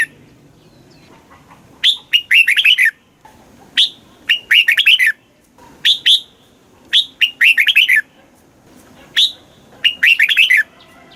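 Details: Red-whiskered bulbul singing a repeated southern master-style phrase, played to rouse caged birds and teach chicks: a sharp opening note followed by a fast cluster of liquid whistles, repeated five times about every two seconds.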